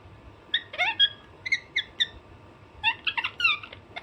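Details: Alexandrine parrot chattering softly in clusters of short squeaky notes and brief squawks, quieter and more broken than full screeches, with a low background hum.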